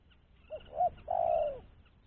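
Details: Spotted dove lure call, clean and meant for trapping other doves, from a bird said to be no longer fearful: two short soft notes, then one long, smooth, low coo that slowly falls in pitch, over a faint background hum.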